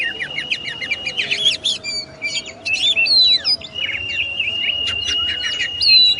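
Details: Oriental magpie-robin (kacer) singing in a masteran recording: long steady whistled tones broken by quick chirps, downward slurs and bright rising notes, clear and close with no other sounds.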